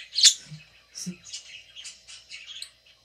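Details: Pet budgerigar chirping while eating: a sharp squeaky chirp followed by a run of soft warbled chattering notes, with low clicking noises.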